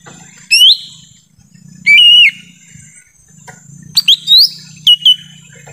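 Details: Lesser green leafbird lure call recorded in forest, used to attract wild birds: loud upslurred whistles rising from about mid to high pitch, some held flat, in short bursts with gaps, faint fainter bird chatter behind.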